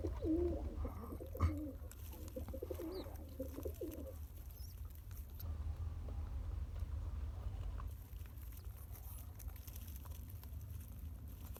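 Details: Pigeon: a father feeds his one-day-old chick by pumping; a run of gurgling, low coos for about four seconds, one sharp knock, then long low background rumble.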